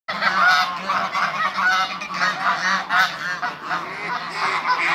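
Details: Eight African and Toulouse geese on a farm give loud, overlapping nasal honks in a dense chorus, rising and falling in quick bursts with barely a pause throughout.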